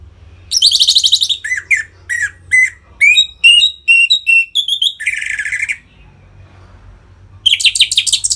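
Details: Orange-headed thrush in full 'ngeplong' song, used to provoke captive birds into breeding condition: harsh buzzy notes open a long varied run of sharp whistled phrases, some slurred, with another rasping buzz midway and at the end.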